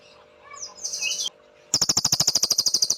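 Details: Cililin master song: a high, whistled chirp, a pause, then a fast, sharp trill of evenly repeated high pulses beginning and continuing to the end.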